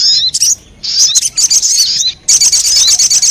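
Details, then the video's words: Crimson sunbird sounds used as a lure for wild birds, with three long bursts of shrill, rapid, high twittering and thin slurred whistles, divided by two short silent gaps. "Suara pikat burung sogon 💯% bikin sogon liar berdatangan"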